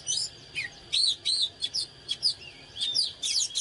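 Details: Oriental magpie-robin, fired up in full condition, singing and displaying: a quick run of bright, varied whistled phrases with sharp slurred notes in short bursts, over a steady high-pitched whine in the background.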